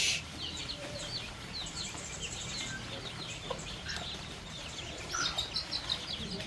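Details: Baby chicks and young chickens eating fresh termites in the countryside; scattered thin peeps and chirps from several chicks, a louder burst of falling notes toward the end, over low background noise.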